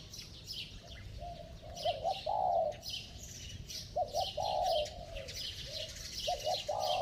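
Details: Spotted dove with a ringing, bell-like coo and fast cooing used to stir up slow wild-caught doves: paired short notes followed by a longer wavering coo, repeated about three times, over a high, hissing chorus.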